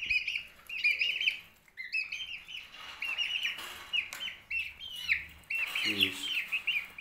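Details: Ayam Cemani chickens, a black-tongued line, give a near-continuous stream of high, thin chirps and peeps, overlapping in quick bursts, with a man's voice talking in the background.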